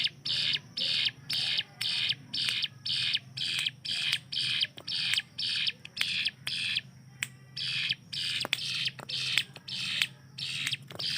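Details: Hill prinia kept in a cage as a training model for songbirds such as magpie-robins. Steady series of scratchy buzzy phrases, roughly two each second, strong and even, with a few clicks in between.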